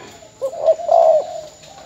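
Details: Spotted dove kept as a decoy in Ben Tre, Vietnam, later sold: a single cooing phrase, a brief low hoot followed by a longer, slightly falling hoarse coo.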